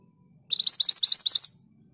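Scarlet minivet giving a quick run of about eight thin, high, upslurred whistles in one second, over a faint low hum.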